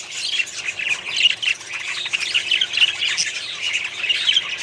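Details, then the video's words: Budgerigars housed as a small colony, lively overlapping twittering with bright chirps and short whistled notes rising above a steady chattering background of many birds. "budgies small colony setup"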